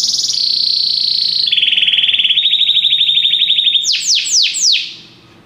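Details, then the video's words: Belgian canary during song training, a high sustained trill dropping in pitch in steps into a rapid pulsing roll, ending with three quick descending whistled sweeps. "canário belga cantando mais espectacular! treinamento canario belga"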